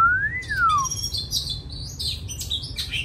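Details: Kept Oriental magpie-robin finishing its moult. The phrase opens with one clear whistle that rises and then falls, followed by a run of short, high, slightly harsh warbled notes.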